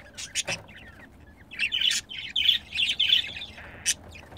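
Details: Budgerigars, a pet pair, chattering while mating: a few sharp clicks, then dense scratchy warbling with squeaky notes and a sudden high tick near the end.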